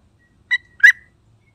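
Two short, bubbly mid-pitched notes from a sooty-headed bulbul, about a third of a second apart, with a rich, slightly burry tone; otherwise quiet.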